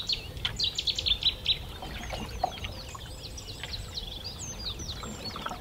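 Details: Cetti's warbler along the River Yare in the Norfolk Broads, heard from a canoe: a sudden loud burst of sharp, ringing notes in quick succession, then softer chatter from other birds over a low rumble of water and wind.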